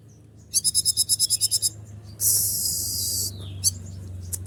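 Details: Konin in breeding condition, stirred by a teasing female, delivers a rapid series of about ten high, buzzy notes, followed by a long hiss and a few clicks.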